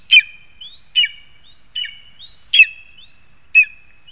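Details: In a Latvian spruce in Zemgale, August 2021, a lesser spotted eagle repeats high, piercing yelps introduced by a thin rising whistle, five notes at slightly uneven intervals.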